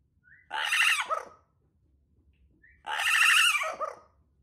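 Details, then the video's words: Pet parrot screaming while left alone, desperate for its owner and yelling at the household cat: two loud, harsh, raspy squawks about two seconds apart, each lasting under a second, with quiet between them. "Loro desesperado por su dueño/Loro gritándole al gato"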